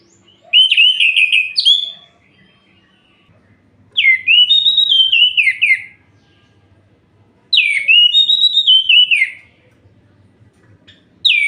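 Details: Orange-headed thrush song at night to provoke other males: three loud, well-spaced phrases of bright slurred whistles with fast trilled edges, each lasting about a second and a half, separated by roughly two-second pauses.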